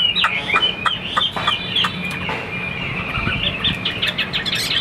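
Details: Caged Chinese hwamei, a fighting bird that spreads its wings, singing a run of loud whistled phrases around the upper-middle range, broken by sharp clicking knocks and a low steady hum.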